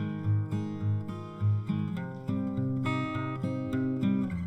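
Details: Strummed acoustic guitar chords change every half second or so, with no animal sounds.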